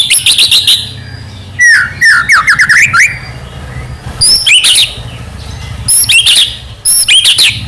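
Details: Captive Medan white-rumped shama in full song, used to provoke other shamas into singing: high sharp chips, a run of quick slurred whistles, then scattered piercing upward notes, over a steady low background hum.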